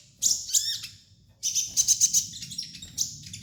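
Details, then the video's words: Sunbird called kolibri ninja in a training master song: high, piercing whistled notes with a brief falling slur, then a rapid series of bright staccato chips, over a steady low rumble. "MASTERAN KOLIBRI NINJA DAN TERAPI KONIN BAHAN"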